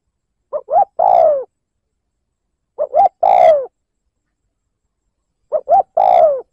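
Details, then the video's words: Spotted dove 'liêu lỡ' coo, played to provoke a rival: three separate phrases about two and a half seconds apart. Each has two short rising notes and then a sustained falling coo, against silence. "Tiếng mồi cu gáy liêu lỡ gáy gù kích bổi"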